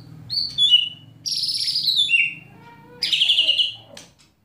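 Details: White-rumped shama (murai batu) in kretekan and tembakan song, meant to provoke other shamas into singing: loud downslurred whistles and a trilled high phrase, separated by pauses, with a faint low hum beneath.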